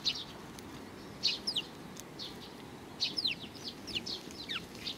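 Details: Sparrows at a Tenmangu shrine on 31 May 2019: high, short chirps in scattered bursts, some paired with quick downward-sweeping notes, over a steady low background hum.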